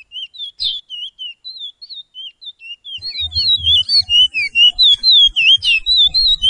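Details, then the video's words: Chestnut-bellied seed-finch singing its Pijé-Pijé training song: evenly spaced whistled slurs, first moderate then louder and denser, with overlapping background song suggesting more than one bird teaching. "BEST TRAINING SONG "PIJE-PIJE" Picolet = Curió = Chestnut-bellied Seed-finch = Oryzoborus angolensis"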